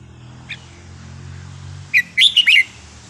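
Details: Wild-style song of a red-whiskered bulbul: after a faint early note, a burst of four or five lively warbled whistles rising and dipping, with a low mechanical rumble beneath.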